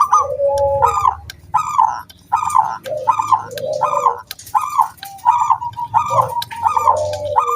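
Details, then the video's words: Wild local zebra dove singing to prompt other doves to sing: a dense series of quick bright trilled notes mixed with low coos, repeated roughly every second over a faint low hum. "SUARA KRISTAL KUNG BULAT PANCINGAN SANGAT AMPUH BURUNG PERKUTUT GACOR MANGGUNG"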